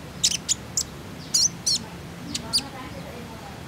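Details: A Common Iora call used as a lure to get young captive ioras to start singing: brief, very high, sharp chips in irregular bursts, followed by a few softer, lower notes, over a faint background hum.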